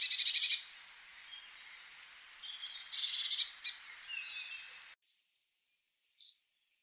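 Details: Eurasian blue tit trill at the start, followed by a jumble of other chirping bird notes over background hiss, then a few short high calls in near silence.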